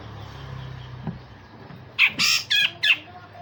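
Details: Grey-cheeked bulbul, used to train other songbirds, makes a quick cluster of four loud, coarse rasping notes with sharp attacks after a quiet start.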